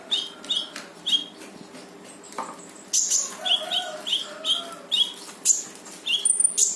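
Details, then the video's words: Lively konin, or brown-throated sunbird, in full tembakan song, used to make a silent konin join in: dense, uneven high chirping, roughly a hundred notes per minute, with brighter piercing bursts mixed in. "KONIN GACOR FULL TEMBAKAN || UNTUK MANCING KONIN MALES BUNYI LANGSUNG IKUT BUNYI"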